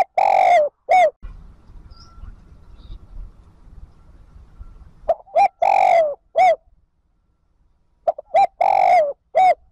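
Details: Lure spotted dove calling wild birds back into the flock; deep rounded coos in quick groups of two to four, broken by several seconds of low rumbling background noise before the cooing resumes.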